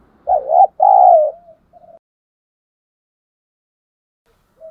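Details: Caged decoy spotted dove with a 'thổ sấm' style voice, cooing to draw other doves in. One low, hollow phrase: a short double hoot, then a longer drawn coo trailing off into soft notes.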